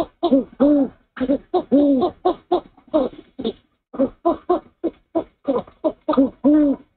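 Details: Owl pair at the nest at dawn, the male hooting after bringing a rat while the female preens his cheek: quick irregular low hoots, some longer arched notes, repeated in bursts.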